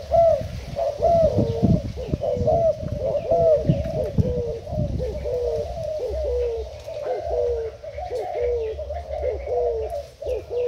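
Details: Thai decoy spotted dove, recorded 10 April 2018. It coos in low rolling phrases, repeated roughly every two seconds, over a low rumbling background.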